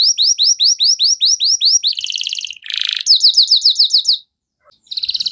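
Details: Canary song used to draw out other canaries: a series of loud slurred notes repeated rapidly, buzzy trills, a harsh burst, more fast slurred notes, a pause, and a final trill.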